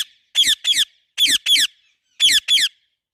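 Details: Pet parrot giving loud, harsh squeaky calls in pairs, each pair of rapid squeaks repeated about once a second, three pairs in all, against a quiet background.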